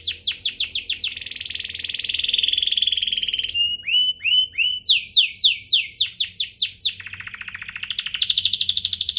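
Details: Domestic canary song used to provoke other canaries: fast descending sweeps, a long buzzy trill, a few rising whistled notes, another run of sweeps, then a rolling rattle.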